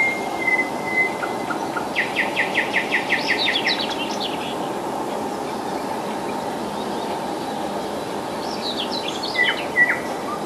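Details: Common nightingale singing in July near Moscow, about 40 kilometres from the city: a burst of rapid repeated notes, then buzzy, varied phrases and a later short twittering phrase, over steady loud broadband rumble like a passing train.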